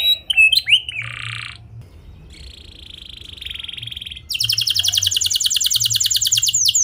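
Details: Canary singing a clear rolling song used to prompt other canaries to sing; starts with scattered chirps and a buzzy held note, then a fast even trill of rapid rising notes.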